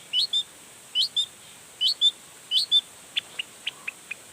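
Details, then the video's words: Long-tailed shrike singing energetically and showing off its repertoire, used to provoke other shrikes into answering: paired high chirps repeated about once a second, then a run of short dry ticks. "Toetan Cendet Gacor Full Emosi Bongkar Materi Bikin Cendet Lain Langsung Panas Nyaut Ikutan Bunyi"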